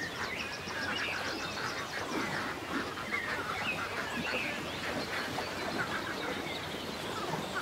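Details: Ducks at a countryside lake, with scattered rough quacks and honking calls mixed into a dense chorus of waterbirds, plus a few thin whistled notes from other birds.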